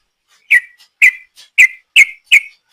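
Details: Sooty-headed bulbul in the long rapid ropel song style, used as a lure: five loud, short whistled notes, each dipping slightly, spaced about half a second apart, with faint softer notes between.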